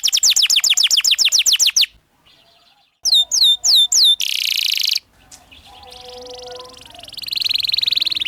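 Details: Canary training-master song for juvenile birds: a burst of rapid falling whistles, a pause, three slow looping notes and a buzzy roll, then quieter rising hiss-like sounds.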